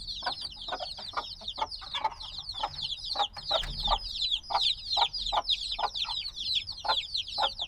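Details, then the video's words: A crowd of black chicks only days old keeps up a constant chorus of shrill, falling cheeps, overlapping densely, while frequent sharp clicking taps sound underneath. "Baby Chicks Sounds - Baby Chicken Chirping Noises"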